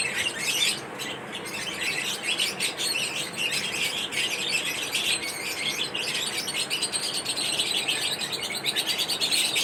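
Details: A flock of pet lovebirds eating corn produce an unbroken wash of thin, high chirps and squeaks, many voices overlapping evenly for the whole stretch.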